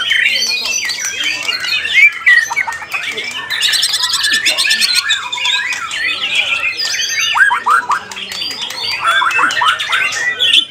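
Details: A competition white-rumped shama (murai batu) named Galaxy sings a rich, fast run of varied whistles, harsh chatters and sweeping slurred notes, with a faint voice in the background.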